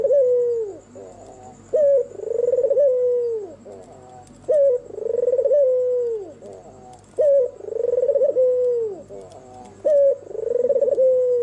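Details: Albino white Barbary dove with red eyes singing through the night, its coo repeated steadily about every two and a half seconds: a crisp short note, a pulsing roll, a long falling coo and a low rising murmur between. A high whine hums faintly.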